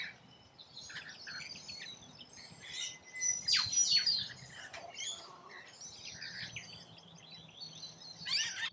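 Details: Rainbow lorikeets at a feeding site in Australia give loud grating screeches, downward-swooping squeals and busy overlapping chatter from several birds, with a low hum beneath.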